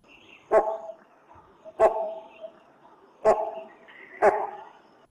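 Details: Great hornbill (great pied hornbill) giving four loud, harsh, barking, cough-like notes about 1–1.5 seconds apart, each deep and raw with a ragged edge. It calls perched at a set spot in a forested valley in the February–March breeding season, carrying far in mornings and afternoons.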